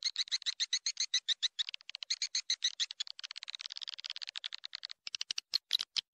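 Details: Swiftlet call for attracting swiftlets: steady train of sharp, high clicking chirps, about three or four a second, speeding into a tighter rattle midway, then slowing again.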